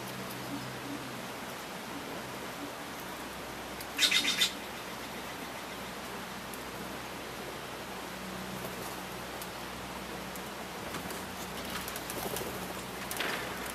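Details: A Steller's jay, one of a large hungry flock fetching peanuts in snowy Vivian Park, Utah, on 1 March 2015, gives one harsh, raspy burst of about half a second; faint scratchy sounds follow over a quiet, hissy background.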